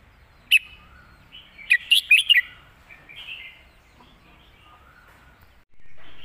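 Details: Red-whiskered bulbul performing the phleng mae bot master song with fine phrasing. A single sharp whistle comes first, then a fast cluster of bright, slurred whistled notes, fading into soft warbles, followed by a steady hiss at the end.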